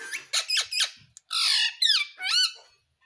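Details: Pet Indian ringneck parrot, kept as a talking bird, makes three quick raspy notes, then a long harsh squawk and two bending, curved whistled calls in close succession.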